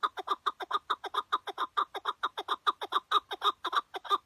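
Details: Decoy chukar partridge tied out during a hunt in Şırnak, Turkey, giving a fast, somewhat uneven stream of loud grating chuck syllables, roughly two per second, continuing without pause throughout.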